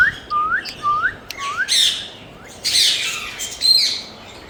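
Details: Green Indian ringneck parrot kept as a pet, giving a series of five short upslurred whistles about every third of a second, followed by several loud, harsh, grating squawks.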